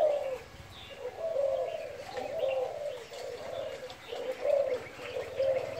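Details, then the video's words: Spotted dove cooing in the gáy thúc and thúc gù style: low, muffled coos in a slow, uneven stream of rounded phrases, somewhat blurred by steady low background rumble. "Cu gáy thúc kèm , thúc gù"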